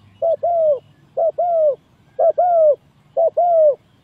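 A spotted dove gives soft mid-pitched coos: a short note then a longer arched one, repeated about once a second, four times, over a quiet low rumble.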